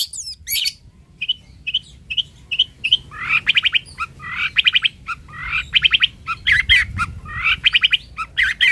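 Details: Long-tailed shrike, known locally as cendet or toed, in full vigorous song: short harsh chirps repeated about every half second build into rapid bursts of three to five grating, clipped notes, repeated again and again, with faint low hum beneath.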